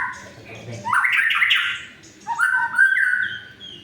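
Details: White-rumped shama song used to trigger non-singing shamas: a loud rich warbling burst followed by bright slurred whistled notes and a fading thin high tail.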